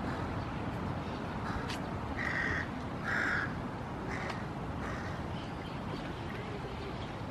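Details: Crow recorded on 5 June 2016, giving two harsh, nasal caws about a second apart, heard over loud, steady broadband background noise.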